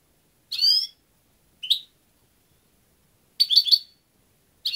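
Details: European goldfinch giving a few separate high, tinkling chirps, some buzzy and slurred and one a quick three-note cluster, with silent gaps between them.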